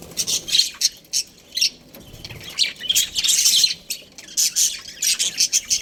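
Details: Pair of breeding budgerigars produces clipped, squeaky chirps and harsh squawks in separate bursts, a longer warbling run in the middle, then quick repeated chirps to the end.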